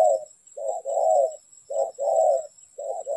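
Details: Close spotted dove in a trapping context giving a short coo then a drawn-out rolling coo, this two-part phrase repeated about once a second.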